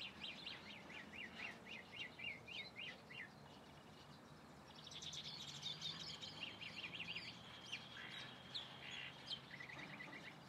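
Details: Singing calandria delivering varied phrases: fast trilled series of sharp rising and falling notes, a busier burst midway, then a few clipped whistles, over a light outdoor hiss.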